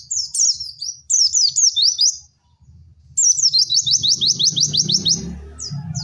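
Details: Singing pleci, or white-eye, giving cek cek werr masteran song: jerky high chirps, then a long rapid rattling trill of evenly spaced notes over a low background hum.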